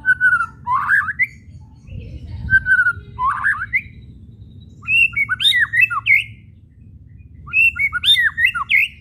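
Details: White-rumped shama whistles and chattering calls (kretekan), used to provoke quiet shamas into singing: slurred rising whistles, then sharp scratchy chattering notes in bursts, over low constant background rumble.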